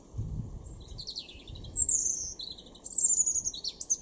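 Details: European robin singing in a garden in Weener, East Frisia, northwest Germany, April 2021: thin, high whistled phrases and trills, some long sliding notes, coming in short bursts separated by brief pauses, over a quiet low rumble.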